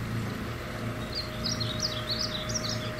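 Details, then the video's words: Male painted bunting singing in northwest Fort Worth, Texas: quick, sweet, high warble of slurred notes over a steady low engine hum. "Male Painted Bunting Song Call"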